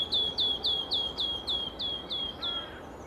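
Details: In ancient oak woodland at Padarn Country Park, Snowdonia, Wales, in early May, a newly arrived migrant Wood Warbler sings thin, high ticking notes, about four a second, speeding into a shivering trill, singing to attract a mate.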